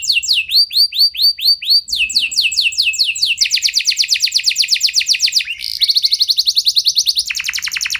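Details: Canary singing to stimulate other canaries into long rolling song. Phrases change quickly: slow, deep downward slurs give way to fast, buzzy high rolls, ending in a lower rapid trill.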